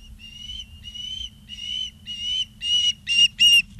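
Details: Osprey at a nest in Charlo, Montana, on 2 September 2023 around 16:03, picked up by a live nest camera: a series of seven high whistled chirps, each under half a second, growing louder and harsher toward the end.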